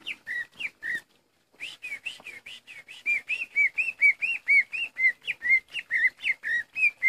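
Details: Caged greater green leafbird that lost part of its leg after it was caught in the cage, still singing strongly. Bright whistled notes slur and dip, with buzzy upper overtones, repeated about twice a second after a brief pause.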